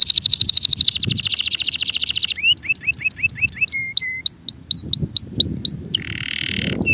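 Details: Male canary song: a fast high buzzy trill, then paired rising whistled notes repeated quickly, short flat whistles, a set of curved rising whistles and a closing buzzy note.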